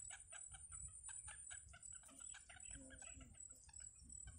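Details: Wild yellow bittern babies at the nest during feeding: hurried, grating cluck notes repeated in quick succession, with a few softer, lower tonal sounds near the end.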